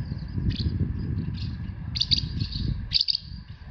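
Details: Asian house martin recorded in Himeji, Hyogo, Japan, on 4 May 2021 at 11:24 with a compact camera: a few short, high chirps, some in quick doubled bursts near the end, over steady low rumbling background noise.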